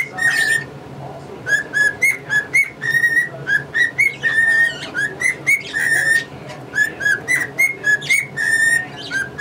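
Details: Indoor male cockatiel performing a whistled tune, Yankee Doodle Dandy or the Mexican Hat Dance, as a string of pure, slightly rising and falling notes. Bright budgie chatter flickers above the melody.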